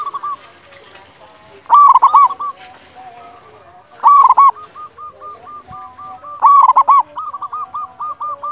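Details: Loud-voiced local zebra dove singing to stir other doves into song. Three bright bursts of fast, clipped cooing notes, each followed by a long, softer series of rolling, evenly spaced coos that continue between the bursts.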